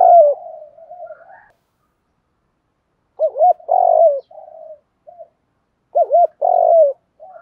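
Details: Spotted dove cooing for training birds: an opening coo trailing into soft murmurs, then two repeated phrases each of quick hollow notes and a longer rough coo, about three seconds apart.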